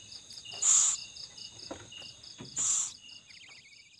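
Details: Owl at feeding time with its young gives two loud, noisy hisses about two seconds apart against continuous shrill cricket trilling.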